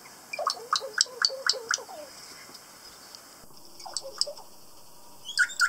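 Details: On Stewart Island, New Zealand, kakas, local parrots, utter quick rasping, gargled calls in an uneven run. A pause follows, then a softer cluster and a final loud harsh pair.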